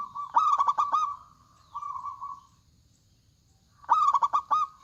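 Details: Zebra dove, local type with a big voice, singing hard: a loud phrase of rapid pulsed coos, a softer long steady coo, a quiet pause, then another loud stuttering phrase.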